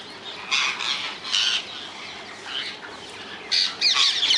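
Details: Wild rose-ringed parakeets in the Netherlands call in harsh, high screeching bursts, spaced irregularly, ending in a fast cluster of shrill squawks.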